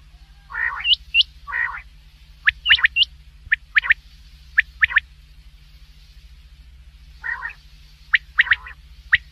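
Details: Black francolin calling: harsh, buzzy, nasal bursts alternating with sharp, high, clipped upward notes, delivered in rapid uneven clusters with short pauses; a steady low electrical hum underlies the recording.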